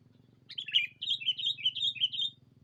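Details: Lure call of a sooty-headed bulbul, meant to call in a rival, with a rapid chain of liquid, warbling notes running about two seconds with short gaps, over soft low background hum.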